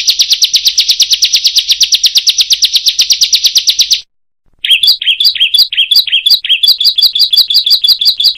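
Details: Bar-winged prinia singing a 'roll tembak' and long roll: a dense, very rapid buzzy trill runs for four seconds, then after a brief silence shifts to spaced, sharper chirping notes at a slower, uneven pace.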